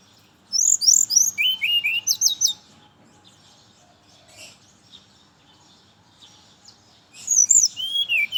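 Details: Brown-chested jungle flycatcher singing in the morning, played as a lure for others of its kind: a burst of high, sweet whistled notes sliding up and down, a quiet pause, then a second rapid whistled phrase.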